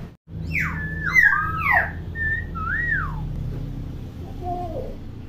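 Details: Common hill myna used as a tutor for young mynas, giving quick whistled swoops and a long wavering descending whistle, then a faint trailing note.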